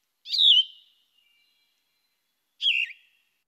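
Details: Yellow-throated Vireo, a woodland species that nests in DuPage County, sings two slow, hoarse, slurred phrases, each dropping in pitch, about two seconds apart; its song is like the Blue-headed Vireo's but more raspy.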